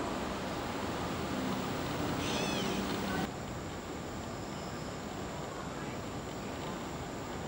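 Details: During autumn migration (August–October 2013) in Central Park, New York City, a Gray Catbird gives one nasal, cat-like mew lasting about a second, half-buried in a steady roar of city traffic.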